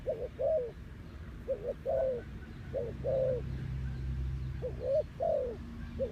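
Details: Decoy spotted dove calling to attract wild doves for trapping; mellow, low cooing notes grouped in twos and threes, repeated at a steady rhythm roughly every 1.5 seconds, with a low rumbling hum in the background.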